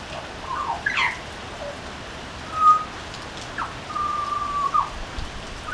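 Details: Butcherbird singing from a veranda: a few quick fluted notes, then sparse, clear whistles, including one long, steady held note ending in a small upturn, against a light continuous hiss.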